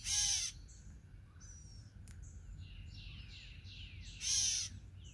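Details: Gray catbird at a bird feeder, apparently telling the observer to leave: two loud, harsh, nasal calls, one at the start and one near the end, with thin high chirps and whistles from smaller birds in between.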